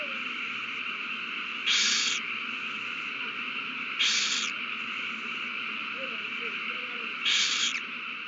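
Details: Nesting owls in a prey frenzy on 21 March 2020 after a mouse is found and handed over; three brief, breathy hisses spaced two to three seconds apart, with faint background noise.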